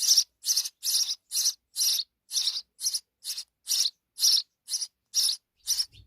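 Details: Nestling sparrows in Pakistan beg for insects from their mother with a fast, harsh, rasping series of high chirps, about two each second, thirteen in a row, ending with a soft low thump.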